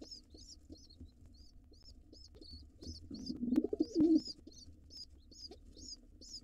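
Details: Wild pigeon in a nest box during an intruder pair's takeover attempt, a male attacking the nestlings: one short low rolling coo midway, over steady high-pitched chirping and a soft background hum.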